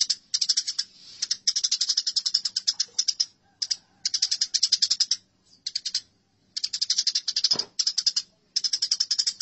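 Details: Fighting house sparrows in a training recording for songbirds give long runs of fast, scratchy, high-pitched chirping chatter. Brief gaps separate the runs, and a single low thump sounds near the end.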